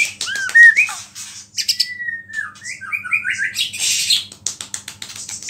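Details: White-rumped shama (murai batu) in full song, its song filled with mimicry of small birds and said to provoke other shamas; looping whistles, a long level whistle, then quick rising and falling notes and buzzy chatter.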